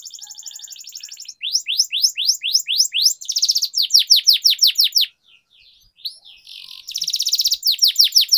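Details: Canary song used for singing training: fast buzzy trills alternate with series of rising upswept notes, long rolling phrases, a short pause near five seconds, then another dense trill and sweeps.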